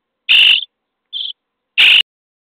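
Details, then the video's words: Common starling young, day 23 in the nest box at feeding time: two loud hoarse rasping bursts with a short thin buzzy note between them. "Szpaki w budce dzień 23 - karmienie piskląt"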